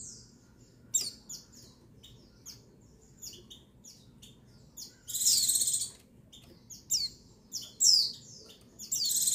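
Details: Female white-eye (pleci, buxtoni type) calling to stir males into song. Thin, very high chirps and short twittering bursts come in scattered clusters, with a louder dense trill near the middle and more chirp groups toward the end.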